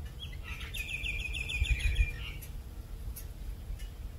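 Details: A Rainbow lorikeet in Australia gives a quick, high chattering trill of about a dozen rapid notes lasting under two seconds, over a steady low rumble of wind.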